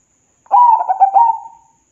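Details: One phrase from a local zebra dove used to prompt idle birds to sing: a soft, bubbling run of quick cooing notes drawn out into a longer mellow final coo, with no other sounds.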